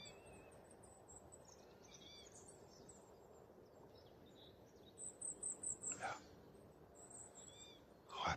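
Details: A goldcrest in a tree by a lake at East Tilbury on a November morning, 13 November, gives very high, thin notes in a quick run of about five, with fainter calls from other small birds over steady background rumble and a couple of rustling thumps.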